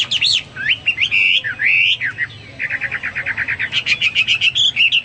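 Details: Energetic Hwamei song for training caged birds: swooping whistled phrases, then a steady run of about twenty quick identical notes, ending in higher whistled flourishes.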